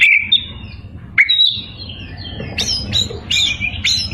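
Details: White-rumped shama in full song, meant to provoke rivals: a few clear whistled notes, then a string of sharp upward-flicking chips and short phrases, high-pitched, over a steady low hum.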